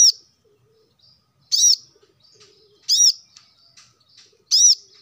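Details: Plain-throated sunbird used as a singing prompt for caged birds: shrill, ringing arched chirps roughly every 1.4 seconds, with soft low murmurs and faint clicks in between.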